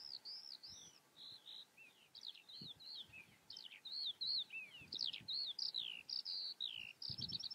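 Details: Eurasian skylark singing: a rapid, continuous stream of high warbled and trilled notes with quick upward and downward slurs, almost no pauses, light background noise.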